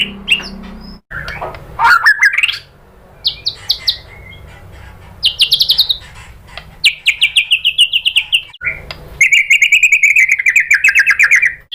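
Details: White-rumped shama song as a lure to make other shamas sing: swooping whistles, then long rapid trills of repeated high notes, one buzzy rattle-like run and a final extended chattering trill.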